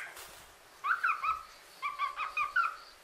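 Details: Female common hill myna kept as a pet, producing two quick groups of warbling voiced syllables, each group of three or four notes, about a second apart, over low background rumble.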